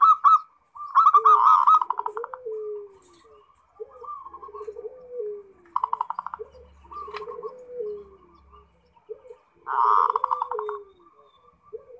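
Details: Kept zebra dove (perkutut) in 'ngerot' song, used to prompt other doves to answer: repeated phrases of loud pulsed trills and clipped coos, with a lower sliding cooing voice running beneath them.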